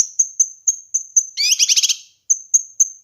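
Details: Kinoi bird song recorded to train and lure birds: thin high whistled notes repeated about four times a second, interrupted by a harsh, layered buzzy burst, then the steady whistled notes resume.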